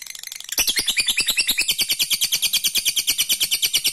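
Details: Lovebird giving its long 'ngekek' trill, used to provoke rivals into answering: after a faint half-second, a loud, rapid, even chatter of high harsh notes runs steadily to the end, roughly three pulses a second.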